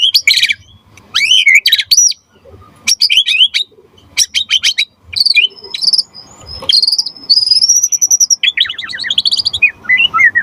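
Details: Singing white-rumped shama, used to prompt other shamas into song: sharp, varied bursts of whistles and rattles, followed by a long run of high warbled notes and a falling trill.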